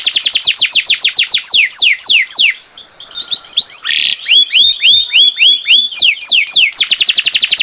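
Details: Canary singing gacor, nonstop and loud: fast series of descending whistled strokes, then a buzzy rattle and looping upswept notes, before returning to quick repeated downslurs.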